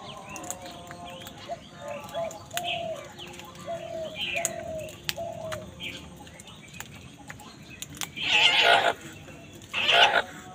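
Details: While crows and wild birds fight over food, a string of soft short calls from other birds gives way to two loud, grating caws near the end, about a second and a half apart.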